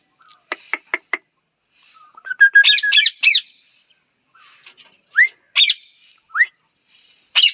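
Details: Four quick clicks open, followed by a low flat whistle running into three raspy parrot squawks, then scattered rising whistles and single squawks.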